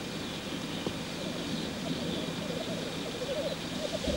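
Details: Black grouse male at a lek display. A gurgling, burbling coo rises and strengthens over a few seconds against a noisy background.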